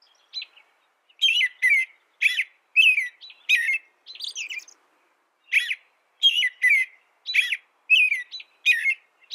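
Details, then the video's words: American robin caroling in bursts of quick whistled phrases, a brief pause midway, then another fast series of warbled notes. "American Robin Bird Sound, Bird Song, Bird Call"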